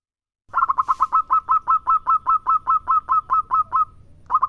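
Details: Local zebra dove (perkutut) singing actively. A brief hiss comes near the start, then a sustained rhythmic chain of about eighteen crisp, cooing notes at a steady pitch, and the next phrase starts just before the end.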